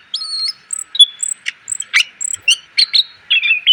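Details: Training song of a greater green leafbird for cage birds, opening with high thin whistles and continuing with quick chips and brief buzzy notes, clean and close.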